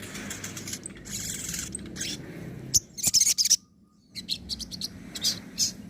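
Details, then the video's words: Training recording of sogon nembak and ngobra song: fast high twittering, then a loud sharp stuttered burst, a brief silence, and more high chirping. "masteran suara sogon nembak & ngobra"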